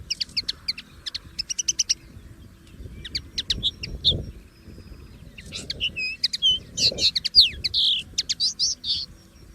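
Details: Common linnet free in nature repeating quick chirp series at first, then a denser twittering passage of trills and slurred whistles, roughly two notes per second early on, with soft background rumble.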